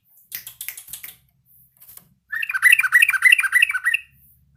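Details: Yellow-vented bulbul; practice song; learning and practising its song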